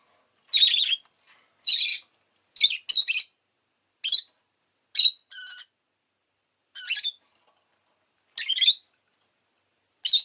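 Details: Rosy-faced lovebird calling in a home setting: a series of short, harsh, high-pitched chirps, about nine bursts in ten seconds at an uneven pace, some doubled, with clear silence between them.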